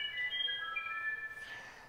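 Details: Musician wren (uirapuru) song recorded in nature: pure, flute-like whistled notes held steadily at several pitches, stepping lower over two seconds, with faint hiss behind.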